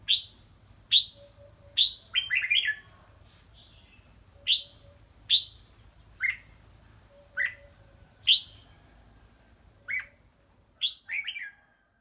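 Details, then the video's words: Red-whiskered bulbul kept in a small bamboo training cage hung up high: short clear whistled notes, each sharply rising then dropping, repeated roughly once a second with a brief chattering phrase, faint low hum behind. "Phương pháp tập lực chào mào"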